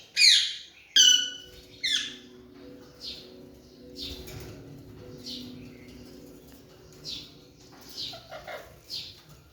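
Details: Young pet Alexandrine parakeet recorded indoors in 2023 while learning to talk: three loud descending squawks in quick succession, then a run of softer breathy chattering notes over a low steady hum.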